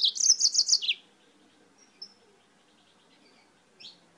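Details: Yellow-fronted canary (Mozambique canary) from Spain singing: one second of fast, high, tinkling twitters, then quiet with two brief faint chirps.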